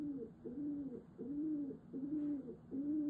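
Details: Indoors, a female pigeon sings to her owner in an affection display with bowing, giving deep, warbling coos in a smooth, pulsing series of five or six.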